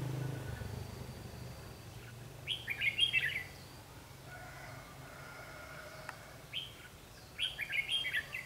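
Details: Red-whiskered bulbul, a decoy bird used for trapping on 21 March 2016, singing a challenge: two bursts of short, bright warbled phrases of a few quick notes each, separated by several seconds of low background hum.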